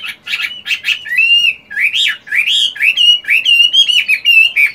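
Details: Moulting Chinese hwamei kept for fighting and song, practising its voice in the morning: loud, varied whistled phrases, rising and falling slurs mixed with quick chattering notes, delivered almost continuously with brief pauses.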